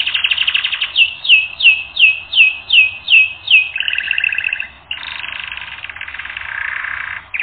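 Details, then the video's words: Canary on a training record: a rolling trill, then about eight loud, slurred, descending whistles repeated evenly, followed by a lower buzzing roll and a long steady trill. "Canary Training Record N°10"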